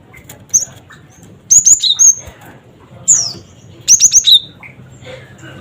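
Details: Cinereous tit sounding cret cret wucit as a lure for other birds; crisp high whistles come in two quick runs of four notes, with a lone downslurred whistle between them and a soft low background hum.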